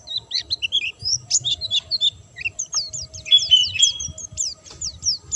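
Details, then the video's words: White-eye singing vigorously, a bird said to be in full voice without any supplements: rapid, dense run of high, thin chirps and quick sliding whistles, some short trills, tumbling without pause over a quiet low background hum. "burung pleci gacor dor tanpa doping"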